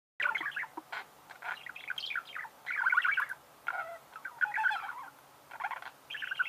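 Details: Budgerigar chirping: busy, chattering warble of short twittering phrases, rising and falling in pitch, broken by brief pauses.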